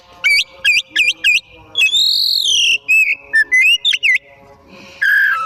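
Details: Oriental magpie-robin (kacer) singing energetically in the afternoon: a rapid run of four sharp looping whistles, then a long buzzy rising note and a string of short slurred whistles, with a final loud burst.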